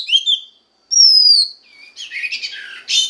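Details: Female Oriental magpie-robin voice used to arouse the male: a few twittering notes, a long clear high whistle gently falling, then a quiet low slur and a rough, scratchy chatter.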